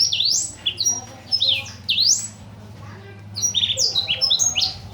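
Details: Small imported blackthroat singing as a master bird for other songbirds: high, swooping whistled phrases and sharp slurs in short runs, with a steady low hum underneath.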